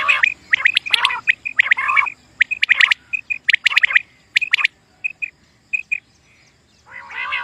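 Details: Common quail calling for a hunting lure: harsh, raspy bursts mixed with short clipped whistled notes, mostly in quick clusters, with a scratchy phrase at the end and quiet gaps between.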